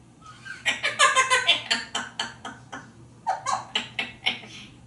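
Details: Pet African grey parrot in a Texas home, sitting on the shower while playing a chasing game with its owners; a quick series of short clipped syllables, about three per second, with a gliding whistled note midway, in a small room.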